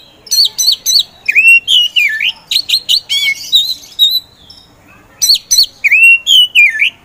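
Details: Oriental magpie-robin of the kacer poci type, a bird slow to start singing that then bursts into full, vigorous song. It gives loud whistled phrases: sharp high notes, then swooping down-slurred and rising whistles, with a short pause and a repeat of the phrase.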